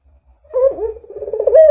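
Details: Vigorously calling puter, or Barbary dove, used as a lure recording to get doves calling: a soft opening note swells into a low rolling, throaty coo that rises slightly at the end.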